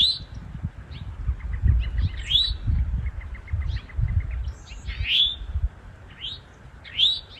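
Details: In woodland, Eastern Towhees, male and female, give territorial calls; rising, slurred notes sound every second or so, mixed with soft, rapid ticking series and low rumbling noise beneath.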